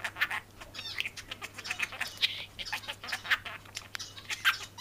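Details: A talking budgerigar chatters to its female companion in a fast, scratchy warble of clicks, squeaks and short whistled notes, a talking-style babble with no pauses and a faint low hum beneath.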